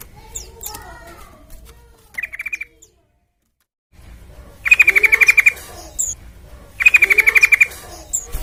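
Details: Sooty-headed bulbul (trucukan) song played as a lure to get other birds singing: a faint short burst, then a stretch of silence, then two loud, fast, chattering phrases close together.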